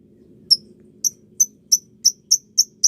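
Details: Lovebird training recording for young birds: short shrill high chirps repeated about every third of a second, speeding up slightly over eight calls, with a faint low hum underneath.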